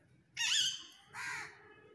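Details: Crow calling in a duet with a parrot: two harsh, buzzy caws with a rich, bright tone, the first louder and slightly rising, the second flatter, a short pause between them.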